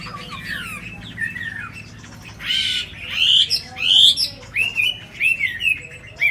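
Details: Caged Chinese hwamei, a tame bird from Hanoi, Vietnam, starting softly, then giving loud harsh buzzy bursts followed by a run of clear rising whistled notes repeated close together.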